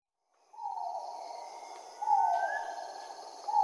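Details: Great argus (Argusianus argus) calling, giving loud, drawn-out mid-pitched hoots, each lasting over a second and repeated in close succession, with a faint higher whistle in the background.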